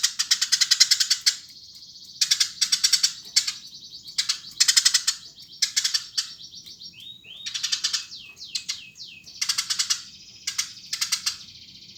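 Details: Eurasian tree sparrow calling repeatedly: clusters of rapid, scratchy chirps every one to two seconds, linked by steady buzzy notes, with a series of thin descending slurred notes midway.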